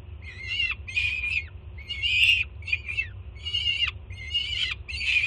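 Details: Juvenile peregrine falcon at a Jersey City nest, mother arriving with food, June 2017: loud raspy screams in bursts about every three quarters of a second, each with a downward slur at its close, steady hum beneath.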